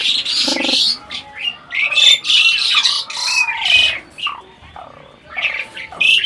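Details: Adult breeding Asian pied starling said to chat back like speech: loud bursts of harsh, high squawks and rasping notes, separated by short gaps, with thin whistled slurs and one low buzzy note early on.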